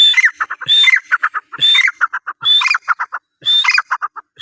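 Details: Iranian francolin calling insistently, with a high whistled note opening each phrase, trailed by a rapid stuttering series of mid-pitched clucks, about four phrases in quick succession.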